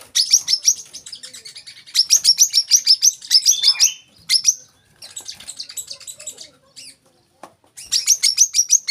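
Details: Olive-backed sunbird song for masteran training of young cage birds: repeated bursts of quick, high, sharp trilled notes, separated by quieter gaps with a few isolated chips.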